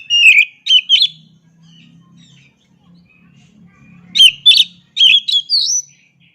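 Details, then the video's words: Short loud whistled phrases from an oriental magpie-robin: three quick notes, a quiet gap with faint low hum, then a second string of four clear, varied whistles. "Suara Asli Kacer Ini"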